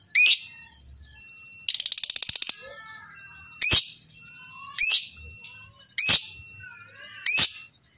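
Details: Chattering lovebird call intended to get any other lovebird to reply: piercing downward-sweeping chirps roughly every second, plus one rapid buzzy rattling burst, over faint low background hum.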